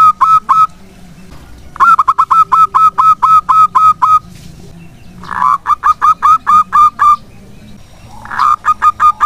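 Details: Lively local zebra dove used to draw other doves into song, delivering several bursts of rapid, clipped cooing notes, each burst opening with a louder rough note and separated by brief quiet gaps.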